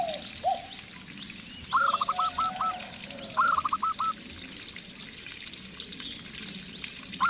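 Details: Local zebra dove, described as loud-voiced, calling to provoke a spotted dove: two bursts of rapid staccato notes a second or so apart, with faint lower cooing from the other bird and a steady background hiss.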